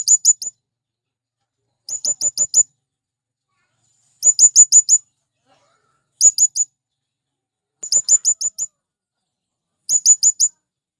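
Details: Male blue-crowned hanging parrot calling to attract wild birds: very high, thin sharp notes in quick bursts of four to six, a burst roughly every two seconds, with silence between bursts.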